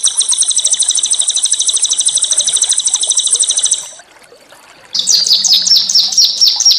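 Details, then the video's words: Small songbirds recorded as a rough-burst training track for white-rumped shamas: about four seconds of a very fast, even, high buzzy trill, a short pause, then a quicker series of sharp, rising chipped notes. "masteran burung kecil"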